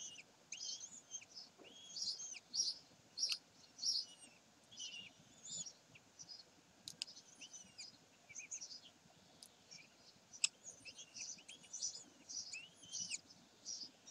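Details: Common kestrels at Sägeweg on 27 May 2020: high, thin drawn-out notes with stacked overtones, some falling at the end, given in irregular bursts over about fourteen seconds, with a few sharp clicks.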